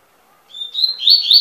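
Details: Song of a double-collared seedeater: a pure whistled opening note leading into a quickening, slightly rising twittered warble. No other sounds.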